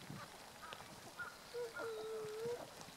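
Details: Tundra swan flock on 1 January 2014, with a long, steady, nasal drawn-out note lasting nearly a second, preceded by a shorter one, amid a murmur of other distant swan calls.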